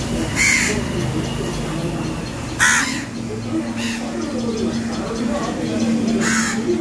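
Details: Crow chick begging while its mother refuses to feed it; the chick eats messily, spilling food. Four harsh, hoarse caws spaced irregularly over about six seconds, with a woman talking softly in the background.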